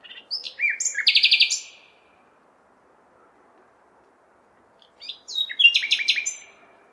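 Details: Nightingale song recorded in a big city on a May night, two separated phrases of sharp whistles and fast rattling trills, each about two seconds, with quiet urban background between them.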